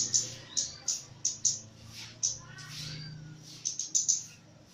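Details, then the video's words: A lively Javan myna delivers crisp high clicks roughly every half second, then a brief rising slurred phrase, followed by a rapid cluster of three sharp ticks. "KEMADE JAWA GACOR"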